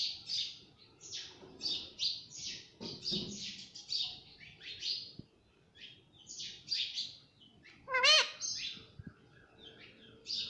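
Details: Pet parrot that says mummy and papa: steady high, raspy chattering notes in short bursts, broken by one loud, ringing, harmonic rising call, with soft background rustle.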